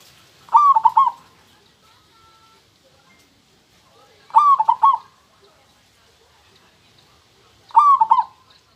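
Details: Local-type zebra dove song praised as super crystal-clear: three cooing phrases about every 3.6 seconds, each a long clear note followed by quick bubbling notes, with quiet pauses between.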